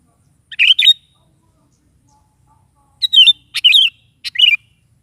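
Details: Sooty-headed bulbul singing in the morning, used to prompt a pet bulbul to answer: two bursts of liquid, bubbly warbled phrases, one short, then a longer three-part run after a pause, in otherwise quiet surroundings.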